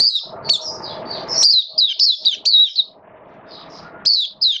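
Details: Oriental white-eye hobby bird in rainy weather, 8 October 2022, delivers a fast string of high, warbling chirps and slurred notes, with bouts of low rumbling noise before and after.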